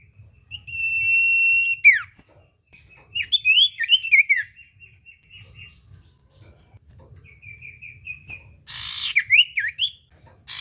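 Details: Common iora singing in full voice as a lure for silent birds: a long level whistle that drops sharply, then bursts of quick up-and-down whistled notes, a soft run of short notes and a final rasping phrase.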